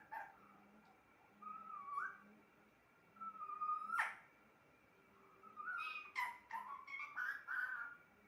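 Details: A pet talking parrot gives a few soft, slurred speech-like sounds, a sharp click, then a quick run of chattering, word-like syllables toward the end over a faint steady hum.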